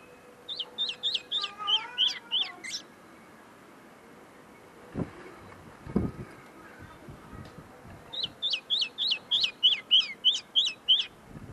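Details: Common linnet still polishing its song, singing up close: two bursts of rapid repeated twittering notes separated by a quiet gap with a couple of low thumps.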